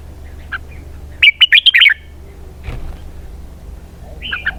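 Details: A red-whiskered bulbul gives a brisk 'double-twist' phrase of about six bright, looping whistles, with a short soft call near the end.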